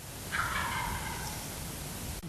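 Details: In Harrison County, Kentucky, in 2008, around 5 pm, a distant wild turkey gobbler answers a hunter's few quiet yelps and purrs with one rapid, rattling gobble lasting about a second, over a steady low rumble of wind.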